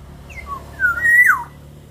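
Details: Caged black-naped oriole singing, a recording meant as lure song for training other birds: clear mellow whistled phrase, a brief high opener, then a long fluty note that rises and drops sharply, with low room hum.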